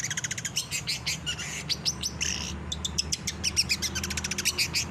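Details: Masteran of a chatty long-tailed shrike: dense volleys of sharp, dry, scratchy notes, some rattled quickly and some drawn into rasping bursts, clear over a quiet background.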